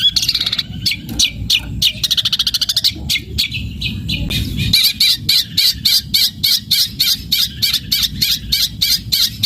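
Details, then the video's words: Long-tailed shrike singing hard with house-sparrow material in a fighting style; opens with a fast chattering rattle, then settles into loud, evenly spaced high chirps, roughly three or four each second. "Cendet Gacor Materi Gereja tarung Nyeret"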